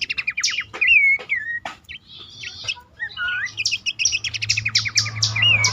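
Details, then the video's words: Horsfield's babbler calling as a lure to stir caged birds that are stuck, stressed or reluctant to sing. Bursts of fast repeated sharp notes alternate with clear whistled slurs that rise then fall, with a low hum in the background. "pelanduk semak ngecall pancingan ampuh burung bahan,macet,stress,susah bunyi agar cepat ngeplong."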